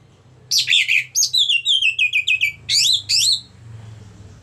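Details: Orange-headed thrush song for coaxing other thrushes into singing: a tumbling series of quick descending warbled notes, then two bright twittering bursts, over a faint low hum.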